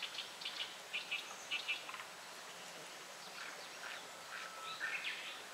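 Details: Japanese paradise flycatcher, unseen, singing in the evening of 18 June 2018 around 6:16 pm, in the song known locally as tsuki-hi-hoshi hoi-hoi-hoi; faint paired whistled notes repeat through steady hiss.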